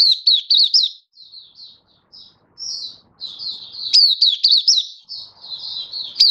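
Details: Kept Malaysian white-eye, Singapore, 20 March 2023, warm and sunny, in happy song: clusters of loud high chirps mixed with softer drawn-out warbled notes, phrases tumbling quickly with brief gaps.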